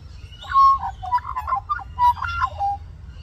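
Australian magpie giving a run of mellow, fluting notes around mid pitch, some held and some warbled, over a low steady hum.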